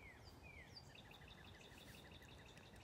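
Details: A distant Bald Eagle screams over trees near a pond, another having just flown over, giving a few thin, falling whistles, then a rapid series of high, chittering piping notes, faint under steady outdoor background noise.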